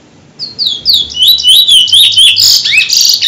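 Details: A Chestnut-bellied Seed-Finch, called "bullfinch" in Trinidad, sings a fast, sweet warble of high slurred whistles and twittering notes, running unbroken for about three seconds.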